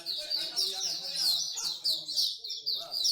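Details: Singapore bird singing corner with many songbirds: bright, rapid chirped phrases repeat roughly twice a second over a continuous high twittering, while faint human voices sit below.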